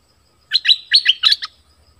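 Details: Orange-headed thrush, southern type, singing a song used for luring wild birds and teaching young birds: one short phrase of four quick, rich, warbled notes that alternate high and low.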